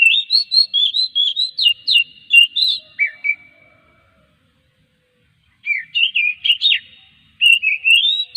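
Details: Oriental magpie-robin song used as a lure to get other magpie-robins singing: bursts of clear, varied whistled notes swooping and twisting at high pitch, a pause of about two seconds, then more rapid phrases.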